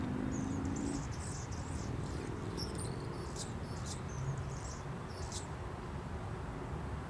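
A hummingbird gives thin, very high, squeaky chips and scratchy notes in quick uneven bursts for about five seconds over a steady low rumble of wind.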